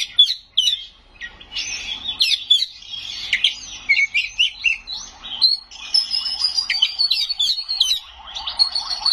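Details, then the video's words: Kacer, or Oriental magpie-robin, in full gacor song rich with isian and sharp nembak bursts: a dense, rapid stream of whistles, trills and chattering notes, with a thin high sustained whistle in the second half. "Suara Burung Kacer Gacor full isian Nembak"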